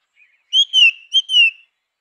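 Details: Grey-winged blackbird singing two clear, fluty whistles. Each note is sustained and gently falls in pitch, with a brief gap between them. The recording is clean and there are no other sounds.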